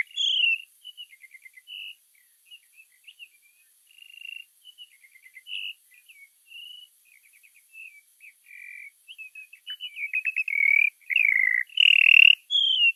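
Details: A bird sings a lively, varied string of clear whistled notes and rapid stuttering trills, the phrases broken by short pauses and growing louder and fuller over the last few seconds, with a faint steady high hiss like insects behind.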